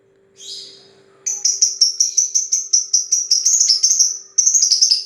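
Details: Lovebird giving a long 'ngetik' chatter: after a brief opening squeal, rapid, high, clicky ticking notes repeated about three times a second in a long unbroken run, with a faint steady low hum underneath.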